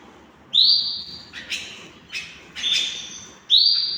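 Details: Hand-tamed canaries: a loud rising whistle, then a few short softer chips and a stronger mixed note, before another clear upslurred whistle closes the sequence.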